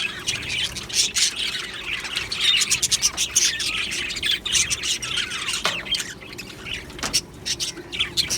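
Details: Many Australian budgies in an aviary colony chattering: harsh short squawks and twittering notes tumble over each other in quick irregular bursts, the crowd noise swelling and easing throughout.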